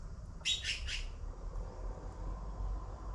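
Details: Baby blue magpies waiting for food from their mother: one burst of three quick, hoarse, scratchy begging rasps early on, then only low steady background rumble.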